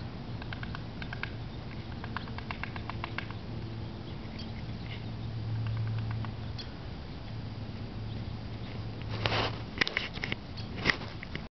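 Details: A woodpecker, barely visible in a tree, taps in sharp, irregular bursts of knocks, with a quicker roll near the end, over a steady low hum.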